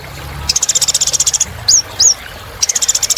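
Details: A kolibri ninja sunbird sings hard, a recording meant to restart other birds' singing: a quick high trill of evenly spaced pulses, two rising whistles, then the trill resumes.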